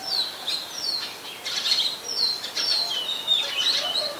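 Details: Oriental magpie-robin, very common resident of Ubon Ratchathani, Thailand, recorded 24 December 2020: high sweet whistles, downslurred notes and rapid chirps flowing in continuous varied phrases.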